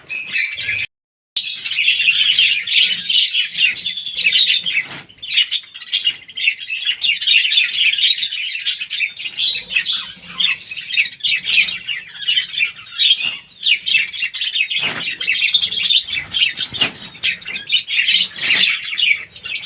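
A flock of budgerigars chatters nonstop in a dense mix of warbles, chirps and scratchy squawks.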